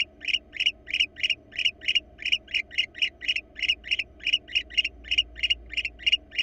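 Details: Barn owl pair visiting a wild Florida nest box, recorded on the live cam. Raspy chittering pulses repeat at an uneven fast pace, a few per second, over faint steady hum.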